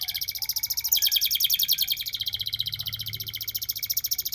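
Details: A domestic canary sings a long, unbroken rolling trill in the ngerol style, rapid buzzy pulses repeated about three to four times a second, shifting pitch slightly partway through.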